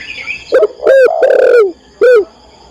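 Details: Female spotted dove (tekukur) calling to the male, used as a training recording: a short low coo, a longer drawn-out coo gently falling at the end, then a final short coo, all deep and hollow.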